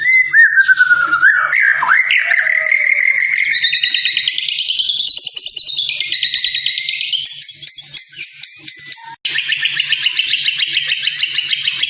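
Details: White-rumped shama song used as a tutor recording for training other birds: a sliding whistle that wavers and climbs, then shifts into rapid buzzy trills and high chattering notes, with a faint low hum underneath.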